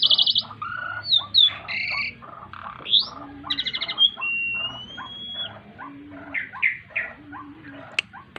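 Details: Asian pied starling in full gacor song while beating its wings, mixing rapid chattering rattles, squeaky notes and a long, drawn-out whistle, with a soft low drone in the background.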